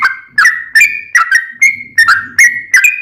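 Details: Song of a Sooty-headed bulbul meant to draw replies from other bulbuls: loud whistled notes with sharp attacks and falling tails, about three per second, some held briefly level, over a low murmur of background noise.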